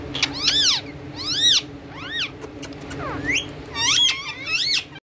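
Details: Talking parrot among a group said to all be talkers, giving loud, arched, harmonic-rich squawks that rise then fall, about five calls in five seconds, over a steady low hum.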